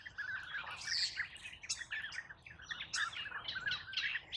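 European bee-eaters give a steady chorus of liquid, rolling 'prruup' calls, several birds overlapping in quick succession over a quiet outdoor background.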